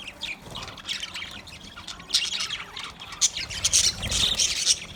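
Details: Budgerigars chirping while eating food: dense, overlapping high-pitched chirps and squawky chatter from several birds, irregular and busy, rising in loudness toward the end.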